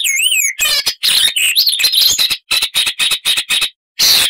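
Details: Icterine warbler song, a loud, varied chatter rich in mimicry: a high wavering whistle, then a fast series of harsh, clipped notes with short pauses between bursts.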